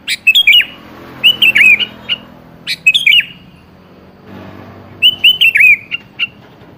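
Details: Lure call of a sooty-headed bulbul to prompt replies from a seldom-vocal bird: clusters of fast, warbling chirps in short phrases, with a longer gap before the final tumbling run.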